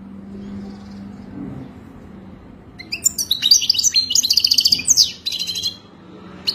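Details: European goldfinch song for mating, used to help a captive goldfinch learn to sing: after three quiet seconds, a fast burst of high twittering, tinkling notes and buzzy trills lasting about two and a half seconds, then a faint low hum.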